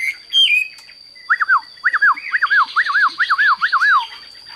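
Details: Caged Chinese hwamei, a large-bodied bird offered for sale and said to sing like a machine: a few high opening notes, then seven loud, clear whistled phrases, each rising then sliding down, about every half second, over a steady high electronic whine.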